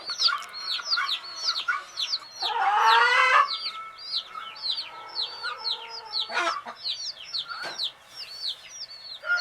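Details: Baby chicks of the hen, settling to sleep, peep together: many short downslurred high peeps, overlapping and irregular, with a brief louder rough burst near the middle.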